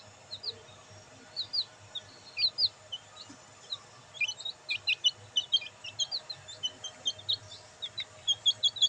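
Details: Black bantam chicks basking in sunlight peep continuously: high, short, downslurred notes in quick, uneven succession that grow busier and louder in the second half, over a faint low hum.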